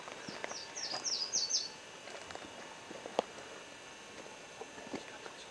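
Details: Booted racket-tail (discifer) uttering a short run of high, sharp, twittering chips for about a second, followed by near silence with a soft hiss and one faint click.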